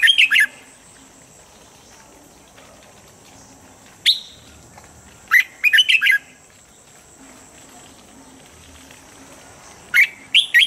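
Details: Red-whiskered bulbul standard-voice song for daily morning training: phrases of three or four fast, bubbly whistles separated by several seconds of quiet, with one lone note between; constant high-pitched hiss in the background.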